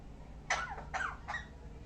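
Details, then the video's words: Parrot giving three short harsh squawks in quick succession, each breaking into a falling note, in a quiet room. "Parrot making different sound"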